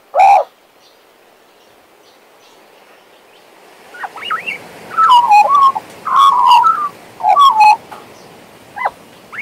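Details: One loud whistled note from a pet male Western Australian magpie, a few seconds of quiet, then a soft build into warbled, wavering phrases repeated in bursts with gaps.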